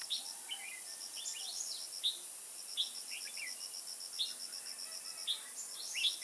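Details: Kim Bôi, 21 May 2018, bulbul trapping: a red-whiskered bulbul sings sharp, bright chirps and short slurred note groups about every second, against a pulsing insect chorus and steady high background hiss.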